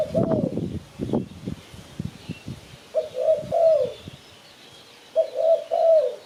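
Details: Spotted dove in Malaysia, called to lure birds for catching. After a patch of knocking noise, two groups of three low, mellow coos sound, with faint bird twitters in the background.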